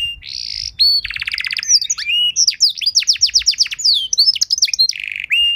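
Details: Canary training song for young canaries to learn from: a held whistle, a quick buzzy trill, then dense rapid chirps and sweeps in varied phrases.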